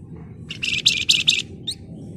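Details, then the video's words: Flamboyan bird in lively ngebren-style song: five quick dense buzzy bursts of high chattering notes, then one short rising note, with a low background hum. "Burung Flamboyan Gacor Emosi Ngebren Rapat Nyerecet"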